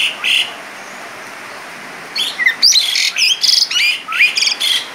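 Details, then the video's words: Asian pied starling in full song with a rich mimicked repertoire (gacor, isian mewah): two short bright notes, a pause, then a dense burst of loud whistles, upslurs and harsh chattering phrases at high pitch over faint background hiss. "Jalak Suren Gacor Isian Mewah"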